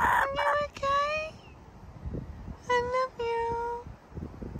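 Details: A pet male Laughing Kookaburra, normally silent, gives drawn-out, whining, baby-like notes in two short bursts, each about half a second long. The owner believes he has chicks and is feeding them, and she talks over and between the calls.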